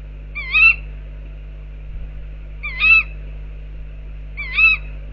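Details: Tawny owls outside an owl box: three sharp, harmonic 'kewick'-like calls, each short and slightly rising then falling, spaced about two seconds apart over a steady low hum.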